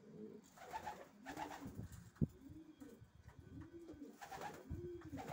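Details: Racing pigeons cooing softly amid low rumbling and shuffling noise, with a sharp click near the middle and rounded coo notes surfacing in the second half.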